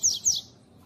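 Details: A female rusty-collared seedeater calls, used to stimulate males: two quick, thin, high notes about a fifth of a second apart, each sliding downward; nothing else is heard.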